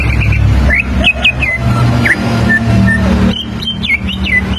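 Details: Greater green leafbird standard song used to teach young leafbirds to sing: scattered clear whistled notes, short upslurred and downslurred arcs, with a rising phrase near the end, over steady low engine rumble.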